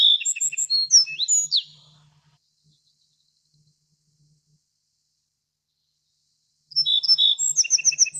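Little Bunting giving two quick, high, jingling phrases of sharp chirps and short trills, about five seconds apart, with a faint low hum between.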